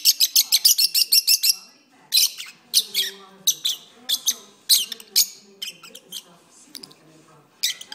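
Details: Lovebirds kept as pets sing indoors for a long stretch on an arm: a rapid run of about ten evenly spaced sharp chirps, then slower irregular squeaky notes and soft lower chatter.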